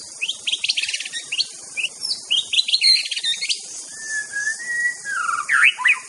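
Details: Aceh white-rumped shama master song with quick high chirps and twittering clusters, then a long drawn-out whistle and a final warbled flourish; constant high hiss throughout.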